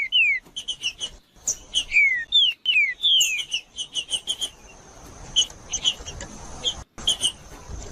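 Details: Green-winged saltator song played to stimulate a cold bird to sing, set in woodland: loud, clear descending whistled slurs repeated in quick succession, mixed with sharp high chip notes and a faint steady high hiss.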